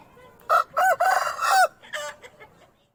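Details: Aseel rooster crowing one loud crow in several rising-and-falling parts, ending in a long sliding note. Softer clucking trails off afterward.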